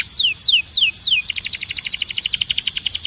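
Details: A Belgian canary sings for training birds, its song described as strong and clean: four descending whistled slurs, then a rapid rolling tour of short repeated high notes.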